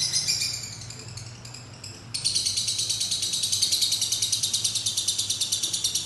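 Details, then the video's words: A lovebird's long ngekek: a few softer, broken chirps at first, then, after about two seconds, a sudden switch into a loud, continuous, fast-pulsed shrill chatter that carries on to the end. "Love bird durasi panjang"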